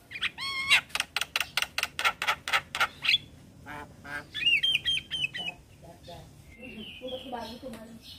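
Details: Black-winged starling in nodding song: a whistled rising note, a rapid series of harsh squawks about four per second, then fainter whistled warbles and low nasal notes.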